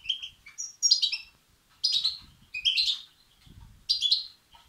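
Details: Goldfinch chicks (European goldfinch) begging, a sound meant to excite males: a few soft chirps, then four loud, buzzy, high bursts spaced about a second apart, with a faint low thump between them.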